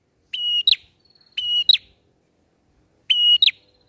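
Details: Bar-winged prinia song used as a lure for catching birds: three loud phrases, each a steady high whistle followed by a sharp rising note, with a long quiet gap between phrases.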